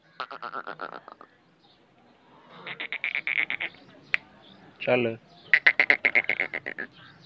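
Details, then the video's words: A hand-tamed pet female Black francolin (kala teetar) in Pakistan, with her chicks in the breeding season, gives harsh, grating bursts of rapid clicking notes, each about a second long, with rough noise between phrases. "Black Francolin voice, Kala teetar, الفرنكولين الأسود, Siyah Fracolin"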